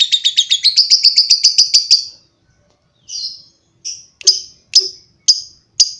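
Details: Lovebird giving long chatter, the style called ngekek panjang: a rapid run of high sharp chirps about five per second for two seconds, then spaced single shrill notes after a pause.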